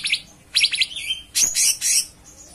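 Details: Cucak cungkok giving quick trilled whistles followed by a loud, harsh, rasping burst and a couple of shorter scratchy notes.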